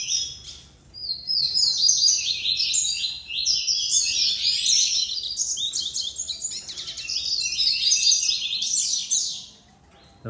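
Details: A male Double-collared Seedeater sings beside a female in a breeding aviary with 18 females and four males. It gives a fast, rambling run of high, bright twittered notes that rise and fall for about eight seconds without pause.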